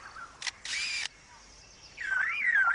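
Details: A male superb lyrebird in forest mimics a camera: a sharp click, then a harsh shutter-and-motor-drive whirr, followed by a rising and falling whistled warble. He sings to outsing rivals and to lure females.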